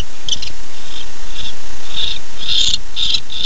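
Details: Night recording from a barn owl nest on 9-11-15 at 10:37 pm, a male returning and a female answering his call. Harsh, breathy hissing screeches come in uneven bursts, growing louder and longer toward the end.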